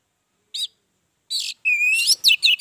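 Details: Orange-headed thrush lure song played to prompt other birds: two isolated whistled notes, then a long thin rising whistle running into a quick jumble of sweeping notes.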